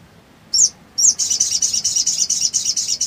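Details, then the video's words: Male sooty-headed bulbul, agitated and calling for a rival, opens with two short high notes, then pours out a steady, rapid string of bright chattering notes lasting over two seconds. "SOGON NGRIWIK NGLEPER"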